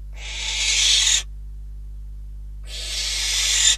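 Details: Barn owl (Tyto alba) at a nest in Catalonia, 12 December 2021, during food deliveries (a bird, then a rodent), giving two long, harsh, hissing screeches of about a second each, with a short silent gap.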